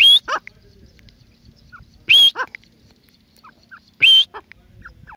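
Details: A grey francolin, known as teetar, repeats a loud, harsh, shrill note about every two seconds, each one trailed by a shorter clipped note and faint distant chirps.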